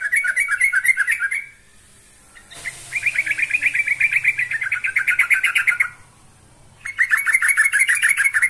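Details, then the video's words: Yellow-vented bulbul singing to summon a rival: long, loud bubbling runs of rapid warbled notes, three phrases separated by short silences, with a brief thud before the second. "Kicau Burung TRUCUKAN GACOR Manggil Lawan"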